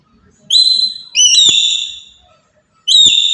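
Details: Black-capped lory from Papua, calling loudly to provoke other birds: three shrill, ringing whistled notes, the second stepping upward midway, separated by short pauses with a click near each.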